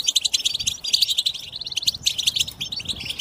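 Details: Short burst of European goldfinch group twitter used for singing stimulation: rapid pulsed chirps and sparkling trills, densely packed and loud.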